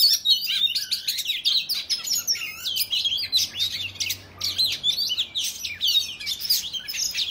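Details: Fighting song of an Oriental magpie-robin, sung to provoke other males; quick mixed phrases of clear whistles, rattles and buzzy notes, with a brief lull near the middle and a faint low hum behind.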